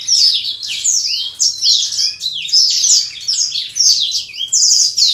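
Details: Black-throated canary kept in a cage while being paired with a mate: fast high-pitched warbling phrases of sharp downslurred notes and short rising whistles, delivered in dense bursts with tiny gaps.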